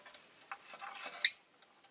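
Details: Rosy-faced lovebird giving a loud, sharp, high chirp that ends in a thin whistled tail, after several softer scratchy notes and faint chatter.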